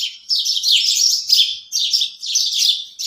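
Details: Sparrows chirp busily in the morning: bright, high, overlapping tweets in dense bursts, with a few brief gaps, and nothing else is heard.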